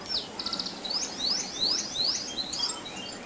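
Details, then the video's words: Canary lure song meant to provoke other canaries into singing, a bird in full rolling song: high sweeping notes, then repeated down-slurred whistles at a lively pace, over a faint background hiss. "Pancingan Kenari Gacor Dor Ngeroll"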